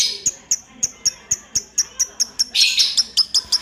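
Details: Lovebird singing in the ngacor style, a hobby bird; sharp high chirps repeated about four times a second, steady and evenly spaced, ending in a brief denser burst of twittering.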